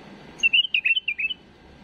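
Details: Tame bulbul singing an error-free song used for tutoring young birds: a brief burst of quick, bright chirped and warbled notes, about ten in under a second, against a quiet background.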